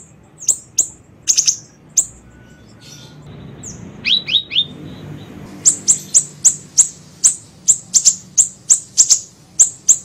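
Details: Small siri-siri bird in a lure recording: sparse high chips, then a short run of three descending slurred notes, then rapid very high sharp chips repeated about twice a second to the end.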